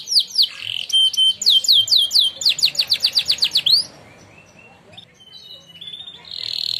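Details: Canary that won a singing contest, in training song: quick downward-sweeping whistles and a clipped, fast rattle of notes, then a hush with faint twitters, ending on a loud, sustained high note.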